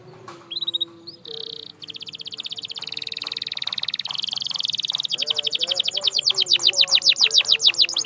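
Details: Canary song played to stimulate silent canaries to sing: clear whistled notes give way to long fast trills that speed into a rapid, loud, rolling tour, with a faint low hum underneath.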